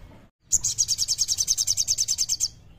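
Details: Common iora singing energetically as a lure for birds that are slow to sing: after a brief pause, a rapid, steady trill of about fifteen very high, piercing notes, then quiet.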